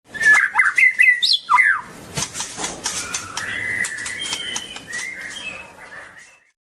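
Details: Long-tailed white-rumped shama singing: a burst of loud, varied whistled notes in the first two seconds, then softer sustained whistles over a steady run of sharp clicking and rustling.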